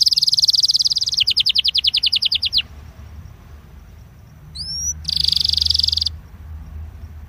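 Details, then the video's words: Belgian canary, recorded to warm up canaries, gives a fast rolling trill that slows into a choppier series. A quiet gap with faint background noise follows, then two rising whistles and another brief trill. "INCARTE para esquentar canario belga"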